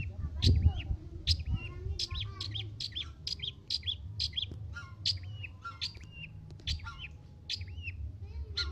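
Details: Long-tailed shrike, a young wild-caught bird from Lampung, Indonesia, singing actively: a fast, continuous run of sharp high chirps and short harsh notes, some slurred, for about nine seconds over a steady low hum.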